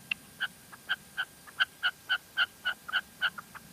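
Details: Female red-legged partridge calling in La Mancha: a steady series of short, clipped double-toned notes, about three to four per second, with slightly uneven spacing and a faint background hiss.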